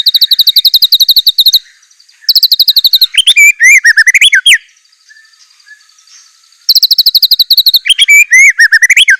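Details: White-rumped shama delivering a varied, filled song: long bursts of very fast, high ticking notes alternating with loud looping whistles, with a short quiet gap between phrases.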